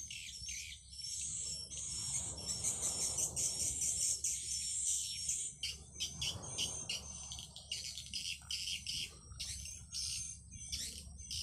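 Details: Swiftlet lure call broadcast from an amplifier to attract swiftlets: busy, high-pitched twittering in rapid bursts of clicks and chirps, swelling and fading in waves, with a low background hum.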